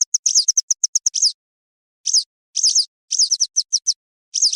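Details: Western yellow wagtail used as a hunting lure. A fast sequence of crisp, high ticks leads into sweeping chirps, then a pause, then further clusters of slurred, high-pitched notes with nothing else audible.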